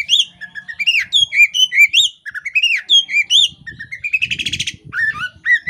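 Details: Female Oriental magpie-robin (kacer poci) in breeding condition, performing the ngobra display with spread tail, a call said to prompt males to join in; loud varied whistled notes, rising and falling slurs, a brief buzzy rattle near the end.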